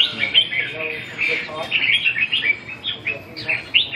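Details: During a 2 June 2012 training session, a red-whiskered bulbul pours out lively, slurred whistles and chirps in rapid, irregular phrases, steady and loud over several seconds.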